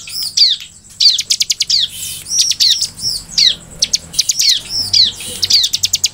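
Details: Sunda forktail (ciblek) singing energetically: rapid series of high, sharp chips alternating with looping slurred whistles, repeated in quick bursts, with a faint low hum beneath.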